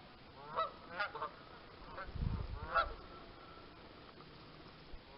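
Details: Canada geese among ducks, a few clear nasal honks in quick pairs, then a low rumble and a final honk before quieter hiss.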